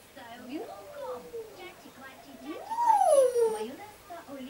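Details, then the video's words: Grey parrot being taught the children's song about two cheerful geese living at granny's, as a woman coaxes it to sing. It answers with voice-like sliding notes, then one loud, clear rising-and-falling tone, with the woman's speech around it. "ЖАКО РОМА УЧИТ ПЕСНЮ- ЖИЛИ У БАБУСИ ДВА ВЕСЁЛЫХ ГУСЯ"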